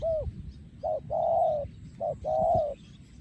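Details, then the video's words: Spotted dove, a breeding male recorded in 2023, gives its โยนคูอ่าง style song. Short coos alternate with long, level, mellow coos in a repeating pattern over a low rumbling background. "พ่อพันธุ์ 2023 โยนคูอ่าง"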